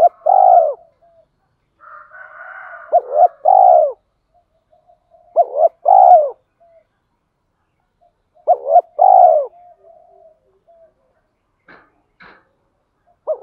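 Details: A decoy spotted dove gives calling and urging coos meant to stir up newly caught birds. Mellow, low coo phrases repeat several times, each a quick double note followed by a longer falling coo. Brief clicks come near the end.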